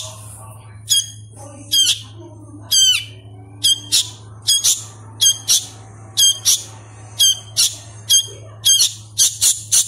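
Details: Young hand-reared sooty-headed bulbul begging for food with rasping high-pitched squawks, singly then in quickening pairs toward the end, over a constant low electrical hum and faint other noises.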